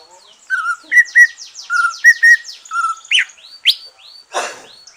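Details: Green leafbird after moulting, singing to stimulate other birds: clear level whistled notes alternating with higher ones, two sharp rising sweeps, and a burst of rasping noise near the end, with faint high chirps behind.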